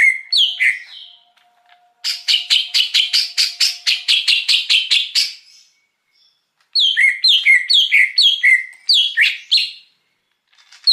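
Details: Greater green leafbird, wild, recorded as a lure: opening slurred notes, then a long rapid series of bright notes, silence, and a run of repeated falling two-part phrases.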